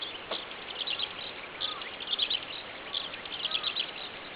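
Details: Eurasian skylark in song as it climbs skyward above Shinmura fields at about 5:30 am, 25 May 2010; bursts of high, sharp chirps and trills in quick clusters, with a soft steady hiss underneath.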